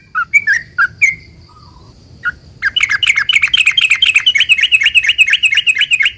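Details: Sooty-headed bulbul song meant to provoke other bulbuls to reply: a few separate slurred chirps and a short pause, then a long, rapid run of bubbly, wavering notes at about four per second.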